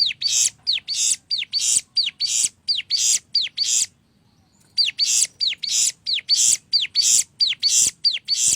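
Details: Sunda warbler (ciblek gunung) sings a master song: rapid repeated notes, each a sharp high downward-curving whistle joined to a broadband buzzy burst, about ninety per minute, with a brief pause midway.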